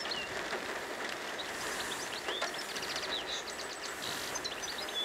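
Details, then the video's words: A European goldfinch singing in the wild in Algeria gives rapid, high, tinkling twitters in quick bursts over a steady hiss of wind or distant traffic. "تغريد الحسون في الطبيعة"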